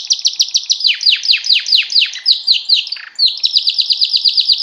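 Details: Canary mating song: quick rolling series of sweeping downward whistles, a brief lower rasp near the end, then a rapid ringing trill of high, evenly repeated notes.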